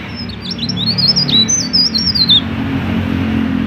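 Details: Mountain leaf warbler singing actively, used to lure other mountain leaf warblers into song: high, thin twittering notes that swoop up and down for about two seconds, over a steady low engine-like rumble.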